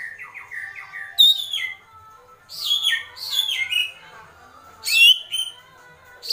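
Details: White-rumped shama, agitated, in kretekan: a stuttering low whistled run, then repeated loud descending whistled slurs separated by short gaps.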